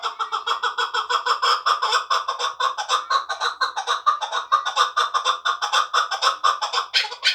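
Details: Two-year-old hand-reared hunting chukar partridge from Tojikobod district giving a steady series of harsh clucking notes, about two per second, with ringing harmonics, each note swelling and falling evenly throughout.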